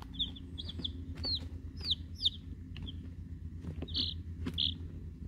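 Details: Week-old chicks, eight Rhode Island Red hens, two Black Sumatra hens and one mystery chick, hatchery-bought, peeping in high, thin notes, some falling, some short and flat, scattered through the clip over a low hum and soft knocks.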